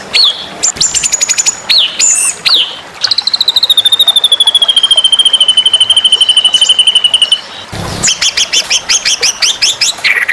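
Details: White-rumped shama masteran for song-competition training. Sharp falling whistles and chip series, a long fast pulsed trill gently dropping in pitch, then a brief loud burst of noise and further rapid sweeping notes.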